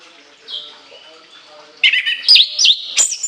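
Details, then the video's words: A soft whistle, then an orange-headed thrush bursts into loud, shrill warbling, with rapid sliding and zigzagging high notes about three per second. "TEMBAKAN LENGKINGAN ANIS KEMBANG ISIAN PANJANG SEGUDANG"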